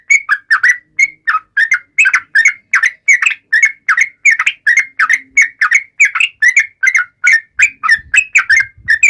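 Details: Yellow-vented bulbul song used to taunt rivals, fast repeated whistled chirps with up-and-down slurs delivered in a steady, energetic series with faint low background noise.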